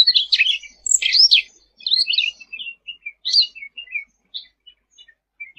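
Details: Sooty-headed bulbul, 'gacor' tutor song: loud opening bursts of sharp chattering notes, then a slowing series of brief high chips and short whistles spaced farther apart, fading toward the end; quiet background.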